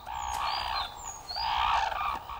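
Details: A noisy flock of red-crowned cranes gathers for breakfast: loud, rich trumpeting calls from several birds overlap in two long bursts, with thin high whistles above; the calls strengthen lifelong pair bonds and signal the landing area to latecomers.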